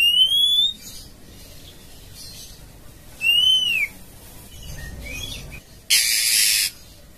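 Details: Female oriental magpie-robin calling to a male, giving clean, drawn-out whistles that arch upward and then drop, spaced about three seconds apart. A short harsh hissing rasp follows near the end.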